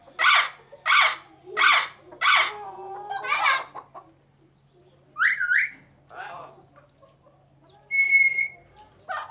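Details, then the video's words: Parrot repeating four harsh, broad squawks in quick succession, then a rising whistle-like chirp, scattered softer calls and a steady whistled tone, with a low hum underneath. "Parrot Sound Effect"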